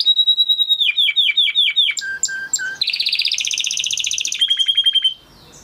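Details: Spanish Timbrado canary with a crest, bred in 2020, singing a training song: a string of descending whistles, three low mellow notes, a dense buzzy trill, then quick repeated notes before falling silent.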